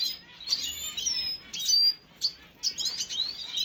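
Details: Red siskin, recorded 5 June 2022, giving high, thin twittering and chirping notes in quick bursts with brief pauses, some notes sliding downward.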